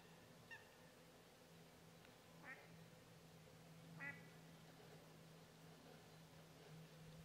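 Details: A Grey heron at the ponds in the Draga valley, 9 July 2023, gives three short, harsh, croaking calls about two seconds apart, fairly faint over a steady low mechanical hum.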